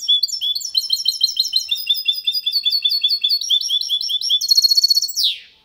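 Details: Clean, error-free song of a goldfinch and canary hybrid, Málaga copy style, meant to stimulate females and teach young goldfinches: dense rapid high twitters throughout, shifting into a tight metallic trill before ending in a descending rasp.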